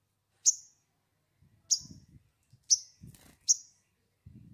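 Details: Sunbird in a lure recording meant to prompt song: four piercing, high, downslurred chips spaced roughly one second apart, with soft low knocking and rustling between them.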